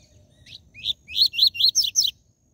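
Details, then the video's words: Double-collared seedeater singing the TUI TUI ZEL ZEL song style, meant to excite caged birds. One soft note, then six loud, sharp, downward-slurred chirps in quick succession over about one and a half seconds, with a quiet low hum beneath. "Esquente seu COLEIRO e PAPACAPIM CANTO TUI TUI ZEL ZEL fibra"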